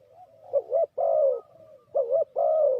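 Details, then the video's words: Lure spotted dove for trapping birds gives soft mellow coos: a quiet lead-in note, then dipping and long level coos in two pairs, with a faint low hum behind. "Sound Of Spotted Dove is so good,Bẫy cu gáy bằng mồi trồn,เสียงนกเขาใหญ่,Suara Terkukur Pikat Tua"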